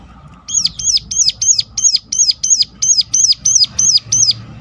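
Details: Rapid, regular string of about a dozen sharp, high, arching notes, the ciblek gunung calling used to lure other Sunda warblers to sing more often.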